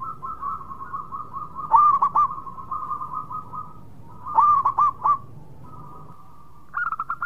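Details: Local zebra dove in full song: a soft sustained tone underlies two spaced bursts of quick rolling coos, with a higher bright phrase starting at the end.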